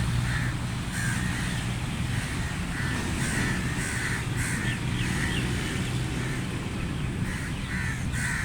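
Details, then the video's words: Loud crow caws repeated in uneven series across eight seconds, harsh and clipped, set against a steady low humming background. "Crow Sounds Loud | Crow Caw Sound Effect | Crow Sound Effect"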